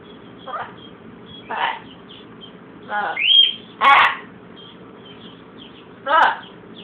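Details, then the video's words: Captive blue-and-gold macaw suffering a cold, mocking a cough with several short rough hacking bursts spaced one to two seconds apart, one ending in a rising squeak, light chirping in the background. "Blue and Gold Macaw mocking a cough!"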